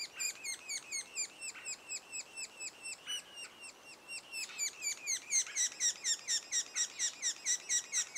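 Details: Sapsucker at its nest two days before the first young fledge: a steady stream of high, harmonic chirps repeated about twice a second, growing louder and denser toward the end.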